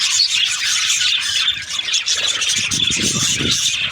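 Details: Breeding-season budgies chatter loudly in overlapping, scratchy high chirps, while dull low rumbling thuds come and go underneath.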